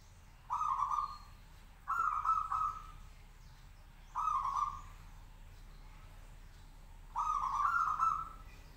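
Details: Local zebra dove singing in a cage to provoke an answer from others; four separate short rolling coos at uneven gaps, the last one longer, with faint background chirping.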